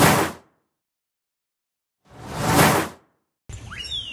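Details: Two broad whooshing bursts separated by silence, then a brief noisy stretch with a few high sliding tones at the end.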